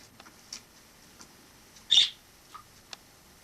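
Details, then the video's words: Wild sparrow that came in through a balcony in autumn 2006 and lived indoors with a household until summer 2007; one sharp, bright chirp stands out amid a few faint, scattered ticks in a quiet room. "Wild sparrow in my home"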